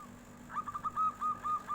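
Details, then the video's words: Local zebra dove in 'nyuling' flute-like voice, replying when a tofu seller goes by: a quick staccato series of about seven mellow whistled notes at even pitch, with faint background hum. "SUARA NYULING || KOK BISA TUKANG TAHU LEWAT, PERKUTUT LOKAL LANGSUNG NYAUT BEGINI"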